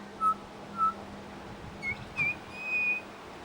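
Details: Pied butcherbird at a bird sanctuary mimicking other birds: two short clear whistled notes near the start, then higher pure whistles, the last one drawn out, over a steady low hum.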